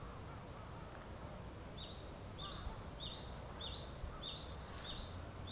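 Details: Japanese tit singing at 4:50 am on 7 April 2011 in Yokodo green space, Hanamigawa ward, Chiba city, Japan: high two-note phrases, a sharp upper note dropping to a lower one, repeated rapidly and steadily over low background rumble.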